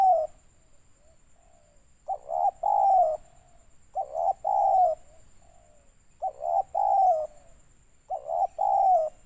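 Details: Spotted dove calling in the stuttering banggo style, recorded in Pekanbaru, Riau, Indonesia, and used as a lure for trapping birds. Low hooting coo phrases of several clipped notes repeat about every two seconds over a faint, steady high whine.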